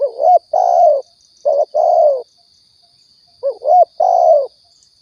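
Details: Spotted dove call from Riau used to lure birds for hunting: three phrases of a quick wavering coo joined to a longer resonant note, regularly spaced, a thin high whine constant in the background.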